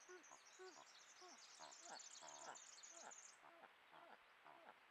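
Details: Malleefowl pair exchanging calls at the laying of the season's first egg on 7 September 2024; low, hollow clucks and grunts, with a burst of high, twittering chatter from small birds through the middle.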